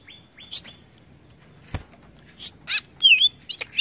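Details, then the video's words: Greater green leafbird song used to provoke other birds: flat whistled notes near the start, a sharp click, then bright chirps and quick down-slurred whistles growing louder toward the end, with short pauses between phrases. "BIKIN CUCAK IJO MANAPUN TERPANCING EMOSI"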